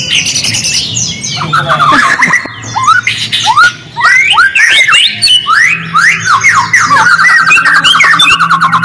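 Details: White-rumped shama lure song: a varied stream of whistled upslurs and downslurs, briefly pausing mid-phrase, ending in a sustained run of falling notes; faint low hum throughout.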